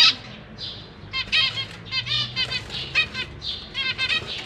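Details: Captive zebra finch family, adults feeding young fledglings: steady stream of short, nasal, harmonic chirps from several birds, roughly three or four per second, over a low background hum.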